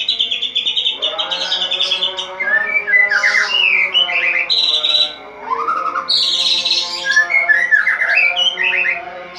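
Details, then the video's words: Loud dawn song from a caged white-rumped shama, uncovered and singing vigorously: clear whistled phrases, upward slurred notes and high buzzy trills alternate in varied bursts, with a short pause midway. "Murai Batu Ngeplong buka tutup sangkar langsung gacor | Burung Murai Gacor Subuh Subuh"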